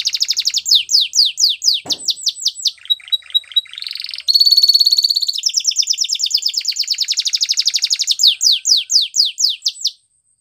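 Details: Canary training song of repeated downward-swept chirps, a brief click, a short stuttered phrase, then a loud fast trill and more sweeping chirps before stopping abruptly.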